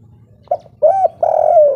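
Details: Spotted dove of local wild stock giving the three-note kuk 3 song, used to lure other birds into calling: a short soft coo, then a firmer one, then a long drawn, slightly falling coo.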